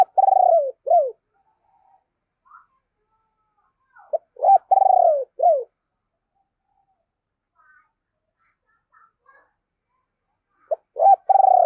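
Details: Decoy spotted dove giving a deep, hoarse 'ồm ồm' calling coo and urging coos, used to lure wild doves; short phrases of low, down-slurred coo notes come in three bursts separated by long silences.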